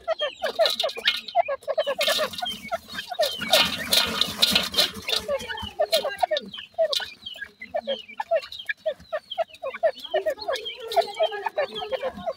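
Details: Francolin chicks feeding, a family group kept in care: a dense chatter of short, high chirps and peeps, overlapping and rapid, with a louder burst of scratchy noise near the middle.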